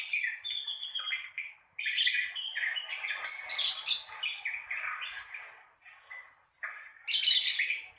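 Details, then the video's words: Lovebird ngekek, a rattling trill played to stir beginner lovebirds into song. A long run of shrill, buzzy chattering goes on with few breaks, then a brief pause and a final loud burst. "Pancingan Suara ngekek untuk lovebird Pemula"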